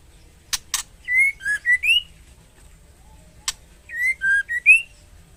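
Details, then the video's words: Female white-rumped shama in breeding condition calling to the male: two bursts of clear whistled notes around mid-high pitch, short rising and falling phrases in quick sequence, separated by sharp clicks and a pause of about two seconds. "Suara MURAI BETINA Memanggil Jantan"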